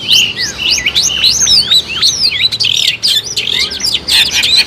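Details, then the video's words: Long-tailed shrike in energetic song used as a bird-trapping lure: rapid strings of high whistles, with looping upsweeps and sharp downward strokes tumbling one after another and few pauses, over a soft background hum. "suara kompilasi burung cendet gacor ampuh untuk pikatan"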